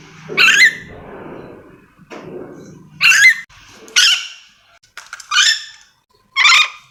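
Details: Harsh, grating shrieks from a calling yellow-and-green lorikeet, Sulawesi endemic parrot, spaced irregularly, with faint low murmuring early on.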